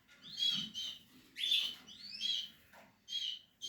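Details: Canary chicks of the Portuguese harlequin in the nest uttering separate high squeaky calls, each a short upslurred squeal, repeated roughly every half second with gaps of quiet.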